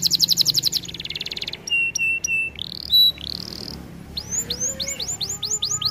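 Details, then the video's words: Canary song from a training recording: fast buzzy trill, then flat whistled notes, rising slurred phrases and a run of sweeping downward notes repeated about four per second. "Melodies Canary bird song | Training video"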